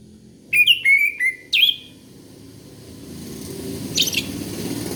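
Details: Orange-headed thrush song used as a lure for young birds: four clear whistled notes slurring downward in quick succession, then a pause with rising background hiss and one faint high chirp.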